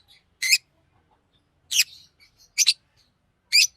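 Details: Green Fischer's lovebird chirping: four harsh, high, wavering chirps spaced unevenly, one trailing into a softer buzz, over a quiet background.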